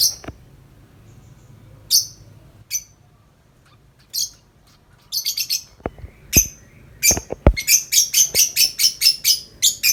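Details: Tame lovebird outside its cage in long nonstop 'ngetik' chattering: scattered shrill chirps build into a fast, steady run of high squeaky notes, several per second, with a few soft knocks.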